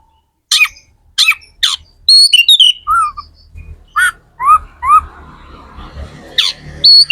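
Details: Magpie-robin, known as kacer, singing to encourage other birds' song: three sharp high strokes, a whistled phrase, then repeated rising-falling whistles on lower pitch, light background noise.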